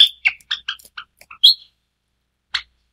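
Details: Snow-white Java sparrow uttering a rapid run of bright chipping notes and one longer ringing note, followed by silence and a single final chip.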